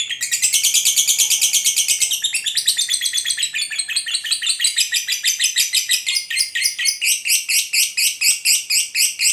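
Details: Long ngekek from a lovebird, a high, dense chattering trill of rapid harsh notes that continues steadily, pulses becoming more spaced and rhythmic toward the end.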